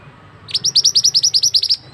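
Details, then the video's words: Male scarlet-headed flowerpecker, a ringing call meant to lure birds for trapping: a fast, regular burst of roughly thirteen thin, very high ticks, clean against soft low background noise. "Suara pikat burung mandi darah / mantenan jantan"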